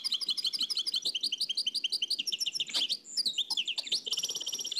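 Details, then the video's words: Nightingale from Oued El Alaig, dubbed from an old cassette: continuous fast chattering of high repeated notes, a brief drop, then sharp whistles and a rapid buzzing trill at the end. "تغريد واد العلايق نقلته عن كاسيت قديم بصحتكم خاوتي معمر روسينيول"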